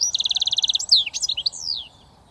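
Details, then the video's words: Goldfinch mule, a 100% British finch hybrid, singing in switty style: a fast run of about a dozen evenly spaced high chirps, then sweeping, twittering notes that fade out. "Goldfinch mule switty"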